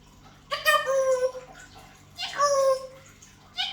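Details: Pet African grey parrot talking in Malayalam while sleepy: two drawn-out, voice-like phrases with a steady, fairly high pitch, each lasting about a second and separated by a short pause, then the start of a third, in a quiet room.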